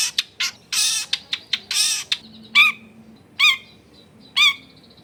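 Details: Long-tailed shrike sound used to provoke other shrikes into singing, home recording in a dense neighbourhood: harsh broad rasping bursts at first, followed by three nasal, squawking notes spaced about a second apart.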